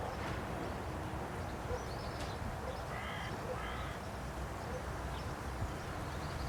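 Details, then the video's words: Carrion crow on a post in Aranoltza, Zamudio, Bizkaia, recorded June 2020: two short rasping caws close together mid-recording, set against constant low background rumble and faint distant bird notes. "BELABELTZA HESOLAN “ABESTEN” / Corvus corone _2020.06.12_ (Corneja negra “cantando” en la estaca_)_"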